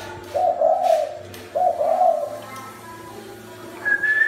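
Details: Caged spotted dove in Thai Nguyen, Vietnam, being handed to a new owner, gives two low, hoarse, rolling coos about a second apart. A person whistles briefly at the end, indoors.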